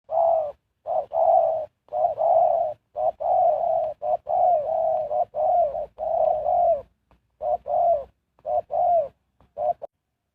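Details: Spotted dove used as a decoy to lure wild birds, singing steady cooing phrases: a short coo, then a longer, rolling, slightly wavering coo, repeated back to back for about ten seconds with brief gaps.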